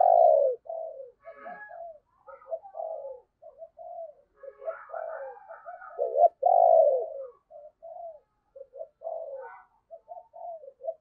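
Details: Decoy spotted dove with the valued deep 'thunder' voice (giọng sấm bầu), kept to lure wild birds, repeats phrases of short low coos, each opening with a loud rich drawn-out coo, over about eleven seconds.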